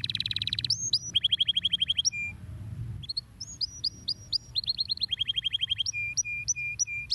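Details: Canary singing a stimulating song for other birds: fast repeated trills, high upslurred whistles, and runs of steady whistled notes in quick succession, with faint low background hum.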